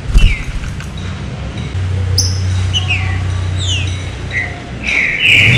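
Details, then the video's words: A green-winged saltator's fine "serrinha" song, used to stir up other saltators: sparse, clear downslurred whistles, a few per second, high and fine, over a steady low engine-like hum. "CANTO SERRINHA FINO PARA ESQUENTAR TRINCA FERRO"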